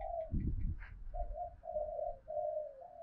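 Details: Spotted dove of the 'giọng thổ' voice style, calling to provoke wild doves and decoys: a series of low, drawn-out coos, each about half a second long, with a dull thumping noise near the start.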